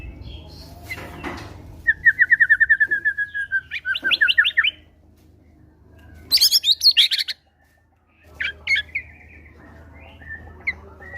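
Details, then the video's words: Caged White-rumped shama (murai batu) delivering gelatik batu material, used to draw quiet birds into song: rapid trills of ringing notes, a high buzzy flurry, brief near-silence, then scattered chirps over a faint low hum. "PANCINGAN MURAI BATU FIGHTER GACOR BONGKAR MATERI GELATIK BATU"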